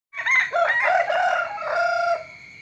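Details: Rooster crowing in the morning: one long, loud, harsh crow with a rough opening and a sustained wavering middle, fading out after about two seconds over a steady high-pitched whine in the background.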